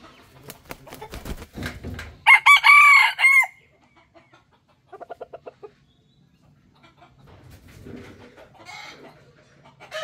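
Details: Rooster crowing, which serves to show territory and power to other males and to draw females. Soft scattered knocks, then one loud harmonic crow of about a second, then a short run of quick clucks and faint later sounds.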